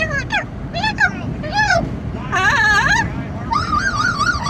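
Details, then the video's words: Amazon parrot travelling in a car gives a series of loud, wavering squawks and drawn-out harsh calls, ending in a long warbling whistle, over constant wind and vehicle noise. "Parrot riding in car, making noise in the wind"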